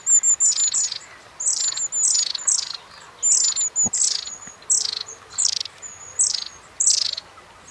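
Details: Long-tailed tit calling with short, high-pitched, repetitive notes that keep group members in contact; thin whistled 'tsee' lines mixed with rapid buzzy triplets, steady series across the recording.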